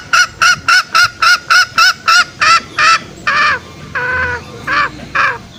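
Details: Green junglefowl call used to lure wild males out for snare trapping. A rapid, regular string of short honks gives way to longer, lower, drawn-out nasal calls spaced farther apart.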